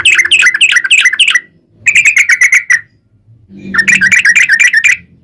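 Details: Sooty-headed bulbul song used as a lure for other bulbuls: three bursts of quick bubbly chirps separated by short silences, with a faint low hum in the background.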